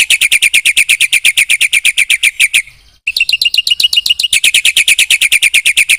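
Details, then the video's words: Energetic 'gacor' song of a Black-winged myna, full of 'isian' phrases used to draw replies from other birds: a long run of fast, evenly repeated high chirps, a brief gap near three seconds, then the rapid chirping resumes. "Suara jalak putih GACOR full isian TERHEBAT M4NC1NG 3MOS1 semua burung nyaut bunyi"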